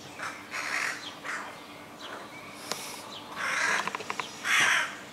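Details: Fledgling crows in a neighbour's tree between houses utter a series of coarse, rasping squawks, with a quick burst of sharp clicks in the middle and two loud closing calls.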